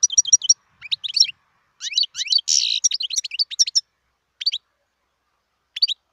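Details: A wild European goldfinch sings a burst of high tinkling twitters, then scattered liquid notes around a buzzy rasp, fading into a few isolated chirps spaced over several seconds.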